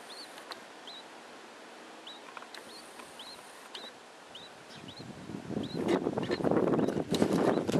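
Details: A mother budgerigar with her three chicks: thin, high chirps in a steady series, several per second, before louder rustling and scratching noise takes over.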